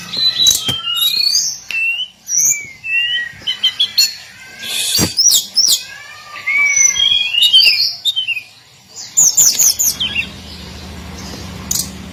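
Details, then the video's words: Hill blue flycatcher (tledekan gunung, sikatan cacing) in its daily song: varied high whistled notes and short sweeping phrases in bursts, with brief quiet gaps and a faint low hum underneath. "Kicauan harian Tledekan gunung"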